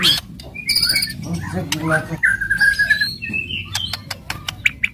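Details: White-rumped shama giving fierce song to stir other birds: high whistles, a long level buzzy whistle, a short rising phrase and sharp clicks, with some low background noise.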